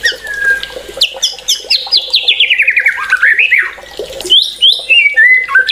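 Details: White-rumped shama singing energetically: rapid descending series of sharp notes, a rising scratchy slur, then clear whistles at varying pitch.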